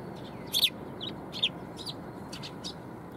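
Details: Sparrows coming to be fed at a Tenmangu shrine in Japan on 14 February 2021. Short, sharp high chirps break out in a few quick bursts against a steady rushing background noise.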